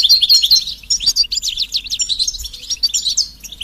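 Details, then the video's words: Stimulating goldfinch song for silent males, European goldfinch betbeta and setseta chatter: short, rapid, scratchy high notes tumbling over each other. "بتبتة فعالة و ستستة فتاكة رهيبة في علاج صمت الحسون"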